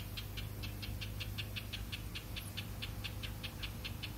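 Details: House wren parents guarding hatched chicks about two days old scold an intruder with a fast, even series of short rasping chatter notes, roughly five per second, against constant low rumbling background noise and a single faint high chirp.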